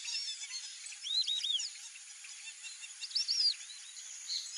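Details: White-faced whistling ducks in a flock, with a few scattered bursts of thin, arched whistles that rise and fall, rather faint over a constant high hiss.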